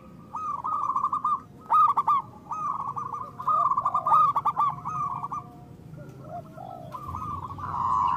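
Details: Loud, constantly calling local zebra dove used as a lure to stimulate reluctant doves to sing. It gives rapid runs of staccato, mid-pitched cooing notes in bursts separated by short pauses, with softer, lower arched coos from another bird.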